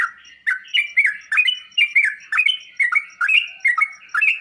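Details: Sooty-headed bulbul song for drawing replies from other birds: chattering, slurred whistles that rise and fall in quick succession, a busy continuous phrase over a soft background hum and faint ticking.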